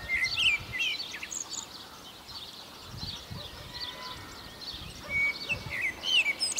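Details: Common blackbird singing on Chios: short whistled and warbled phrases with a few sliding notes, mixed with other chirping birds, against rural background noise with low thumps.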